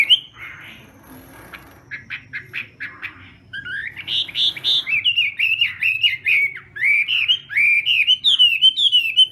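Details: Chinese hwamei doing morning song practice: soft scattered chirps, then a burst of loud clipped notes that flows into long, lively strings of warbled whistles and ends in rapid high notes.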